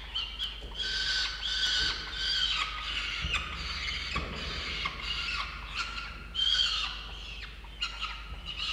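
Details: Nestling peregrine falcons, two chicks in their nest, calling in a long series of rasping, whining screeches that rise and fall without pause, with occasional low knocks and scuffing underneath.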